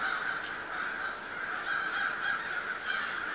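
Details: An October flock of crows at Schenley Farms, Oakland, Pittsburgh, amid city buildings and traffic: a constant wall of hoarse caws from countless birds, overlapping without pause.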